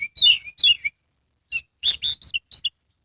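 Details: Caged Oriental magpie-robin, Kebumen, Central Java, singing actively with open tail: sweet slurred whistles at first, then a brief gap, then loud harsh buzzy notes and short chirps.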